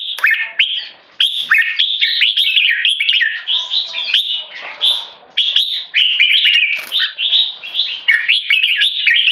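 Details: Tame, Singapore-raised male red-whiskered bulbul giving loud, clear keke calls while being disturbed by humans in a stress test: dense runs of harsh, scratchy chattering notes that jump up and down, almost continuous with brief pauses.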